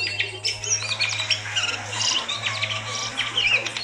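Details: Javan pied starling in full, continuous song intended to stimulate a quiet bird: busy jumble of chirps, scratchy notes and clear whistles with no gaps, accompanied by a loud steady low-pitched hum.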